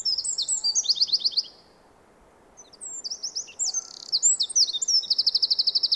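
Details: A Eurasian wren that comes to a yard for winter sings two bursts of shrill, rapid trilled notes separated by a short silence, ending in an even buzzing trill.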